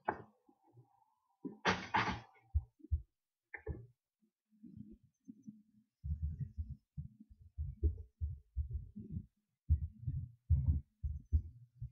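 Low, muffled thumps and knocks, like handling or wind buffeting, with a brief broadband rustle near the start; no animal calls are heard.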